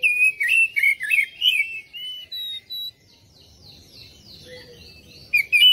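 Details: Oriental magpie-robin lure song for prompting other birds to answer: a rapid string of loud, chirpy whistled notes, then thin high whistles fading to quiet, with a sharp burst returning at the end.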